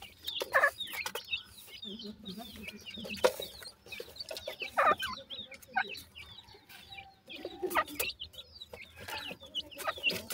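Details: Young francolins feeding and playing at evening, giving a steady stream of thin high peeps and chirps from many chicks, punctuated by occasional louder sharp calls and low clucking, with a faint murmur in the background.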